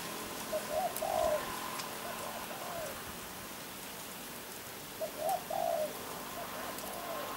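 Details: Spotted dove giving two short bursts of hoarse coos with a rolled note, separated by a few seconds of noisy hiss and faint distant murmuring.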